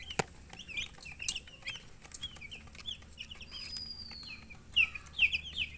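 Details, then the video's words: Chicken chicks peeping: many short, high chirps that bend up and down, irregular and overlapping, with a few louder bursts near the end and a faint sliding whistle-like tone in the middle. "Witty MURGI Baby "Chicks Chirping" Sound"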